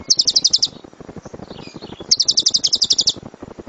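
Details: Lovebird song in the suara gemuruh tembakan style, a master for training other birds: two short bursts of rapid shrill high notes, each lasting under a second, separated by a quiet gap with faint chatter.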